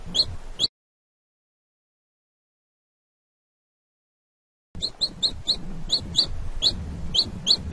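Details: Chick calling its mother: a brief burst of high, sharp peeps, then a long silent gap, then about three seconds of rapid, uneven peeping over a low background rumble.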